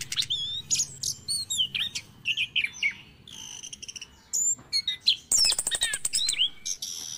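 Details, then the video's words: Orange-headed thrush morning lure song, used to get stressed, silent caged thrushes singing again: rapid varied phrases of high whistles, upslurred and downslurred sweeps, and a dense burst of sharp ticking notes near the end. "PANCINGAN ANIS KEMBANG DI PAGI HARI"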